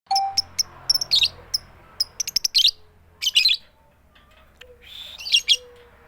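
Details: Female lovebird calling to a male with the 'tik tik keyok' call and no chattering: sharp high ticks, some in quick pairs, broken by harsh rasping bursts, with a faint low hum behind.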